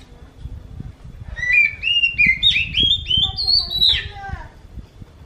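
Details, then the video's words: Oriental magpie-robin whose song resembles a kitten's meow: a smooth run of stepped whistled notes climbing gradually, then a falling slurred tail, mewing in quality, over faint low background rumble. "Viral burung kacer ini suaranya mirip seperti anak kucing"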